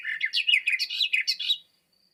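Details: Short Eurasian Blackcap strophe: a quick, rich warble of high, clear notes lasting under two seconds, with clear tone and intensity, set against silence.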